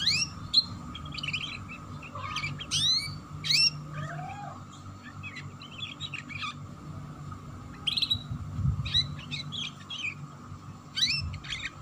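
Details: Canary chirping in ngeriwik style to get young canaries singing: spaced bursts of sharp upswept and downslurred tweets with pauses between, a low steady hum throughout.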